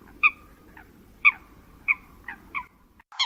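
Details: Migratory bird giving spaced, harsh two-tone calls, roughly one per second, each a short nasal note with a trailing tail; faint low hum underneath.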